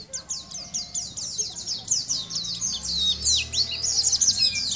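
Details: Sunda white-eye, a champion bird, singing in lively gacor style for use as a tutor recording to train other birds: a dense run of high, thin, quickly repeated down-slurred chirps, about three per second, growing louder toward the end.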